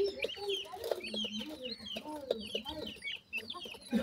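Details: Grey francolin chicks feeding with their family, giving quick curved chirps over repeated low clucks, many birds calling at once in short bursts.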